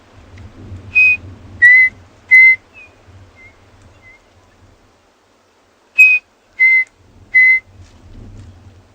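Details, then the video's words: Chinspot batises in the background at Tswalu Kalahari Reserve, South Africa, at sunrise on 8 July 2020 on a miserable-weather day, give clear, pure whistles in two runs of three, each stepping down in pitch, over faint rain or wind. "Those birds you can hear in the background are the chin spot batises."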